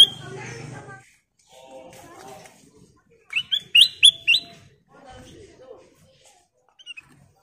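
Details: Golden kutilang emas bulbul lure song amid other noise: a cluster of rapid rising whistled notes in the middle, with murmuring sounds before and after and a few soft chirps near the end.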